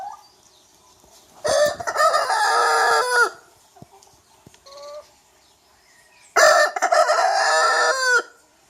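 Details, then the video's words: Two loud crows from a young rooster, each a harsh drawn-out cock-a-doodle-doo of nearly two seconds, separated by a quiet gap holding a soft brief cluck. "Rooster Crowing Compilation - Rooster Crowing - Young Rooster Sound Effect Alarm"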